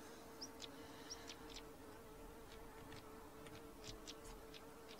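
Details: Two stonechats together: thin high whistles interspersed with many sharp knocking clicks, some in close doublets, spread through the clip over a low steady buzz.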